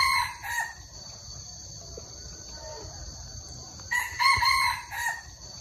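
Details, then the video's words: Crowing red junglefowl, Hmong junglefowl: the tail of one harsh crow opens, then after a quiet gap a full broken, stuttering crow of several syllables rings out, with a constant high whine behind. "Tiếng gà rừng gáy cực hay"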